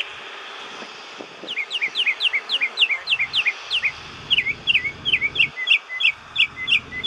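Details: Spring song of a bird outside a window by an airport around noon. Rapid series of high, sharp, down-slurred chirps, roughly three per second, with faint low background noise and brief pauses.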